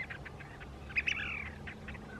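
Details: Chiloe wigeon, among birds some already paired and others seeking mates: a sharp high whistled note followed by a longer slurred whistle that arches and falls, with soft short chirps before and after against a quiet background.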